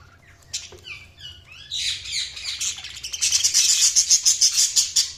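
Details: Budgerigars chirping: scattered short whistled and warbling notes at first, building into a dense, busy chatter of rapid high chirps that grows louder in the second half.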